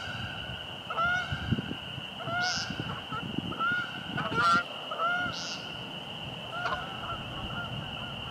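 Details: Repeated harsh, nasal peent calls of American woodcock calling at dusk in March at Fresh Pond, Delaware Seashore State Park, amid sky-dance display; about five calls spaced a second apart over a constant high-pitched background hum and soft low noise.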